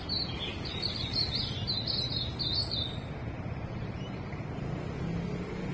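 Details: Morning birdsong outdoors in Australia: a lively twittering phrase of high chirps and trills lasting about three seconds, then quieter, with constant low traffic-like rumble beneath.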